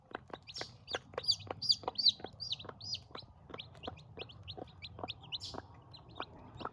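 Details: Newborn chicks having their first meal: bright, short high peeps repeated quickly, about three per second, mixed with sharp pecking taps and a faint low hum in the background.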